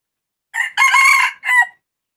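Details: A crowing red junglefowl gives one brisk three-part crow lasting just over a second: a short lead-in, a drawn-out raspy middle section and a clipped downward tail, with nothing else audible around it.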